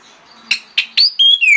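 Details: Orange-headed thrush morning song, used as a lure for other birds of its kind: three sharp, scratchy chips, then clear, high whistled notes, the last sliding downward.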